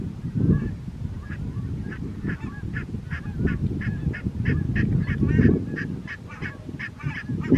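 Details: Barnacle geese calling at Strijen, South Holland, the Netherlands, on 4 November 2024: a steady run of short, sharp yapping barks, overlapping and repeated several times a second, over a constant low rumbling background.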